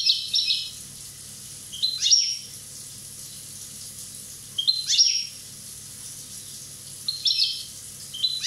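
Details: One-year-old Corsican European goldfinch giving bright high twittering phrases about every two to three seconds. Each phrase is a cluster of sharp tinkling notes with quick downward slurs.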